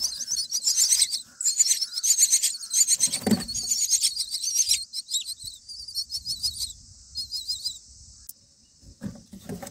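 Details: Myna nestlings begging during feeding on day nine: frantic high, scratchy squealing in quick pulsed bursts, loud at first, then fading into thinner scattered squeaks, with a soft thump midway.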